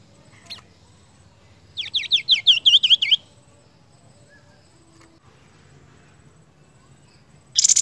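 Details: Seniper masteran song: after a faint single click, a burst of about ten fast, rising-and-falling chip notes in a rhythmic trill lasting over a second, then quiet, ending with a short harsh buzzy note.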